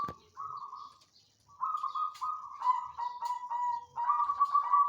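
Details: Caged banyumili-type zebra dove singing loudly in a knitted cage hung in place, settled in soon after adapting: a steady run of low, rolling, trilled coos, with brief pauses between phrases and faint higher chirps behind.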